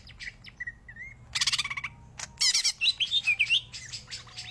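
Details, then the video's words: Greater green leafbird giving a short varied phrase: a thin slurred whistle, then a harsh buzzy burst, followed by loud bright warbled whistles with quick upward and downward sweeps. "Cicak Ijo Gacor Tenan"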